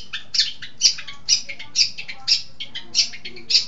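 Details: Vigorously singing long-tailed shrike from East Java: harsh, grating bursts repeated about twice a second in an even, scolding rhythm.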